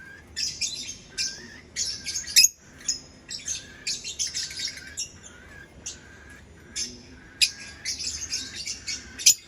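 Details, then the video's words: Lovebird giving shrill, high chirps and squawky bursts in irregular clusters, some notes sharp and piercing, with short quiet gaps between bouts. "Lovebird Chirping Sounds"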